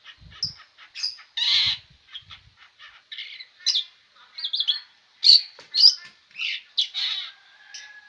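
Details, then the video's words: Long-tailed shrike, called cendet, singing restlessly without pause: a rapid jumble of varied high chirps, short whistles and buzzy notes in irregular bursts, some louder sharp squawks toward the end, with faint low thumps early on. "burung cendet ini tak mau diam"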